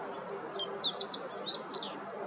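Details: Meadow Bunting on its morning rounds at Yanagishima coast, Chigasaki, Kanagawa, Japan, 26 October 2023, giving a quick scatter of thin, high chips, about eight sharp notes within a second, over a soft steady background hiss.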